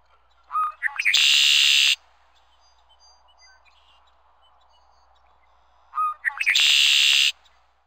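Two red-winged blackbird songs, about five seconds apart, each a few short clicking notes leading into a harsh, buzzy trill held for about a second.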